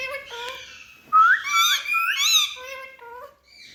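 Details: Parrot talking indoors: harmonic, speech-like babbled syllables with rising and falling inflections, a sharp louder rising note near the middle, then softer chatter fading out.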